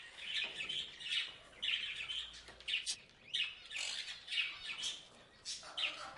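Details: Parrots chirping in a steady run of scratchy, high squawking chirps, grouped in short bursts with brief pauses, over a faint low background hum.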